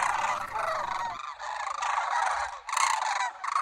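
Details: A flock of local cranes in Homer, Alaska, restless before migration on 9 September 2023, calls in an unbroken clamour of rolling, trumpeting notes swelling every second or so. A coyote had scattered them into the air that morning.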